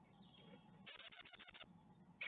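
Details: Webcam recording from a great tit nest in Ostwald, 14 May 2021, while the young leave: a quick train of about ten rasping pulsed notes, then one brief final burst, over a steady hum.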